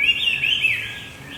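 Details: Brief, loud Javan white-eye phrase from a lure recording for a male that quit singing: one continuous high, wavering twitter that rises and falls rapidly, fading at the end.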